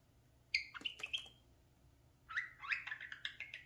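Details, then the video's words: Mirror-loving pet parakeet indoors, known to talk; a whistled squeaky phrase with clicks, a pause, then a continuous wavering chatter of scratchy notes. "the talking @parakeet"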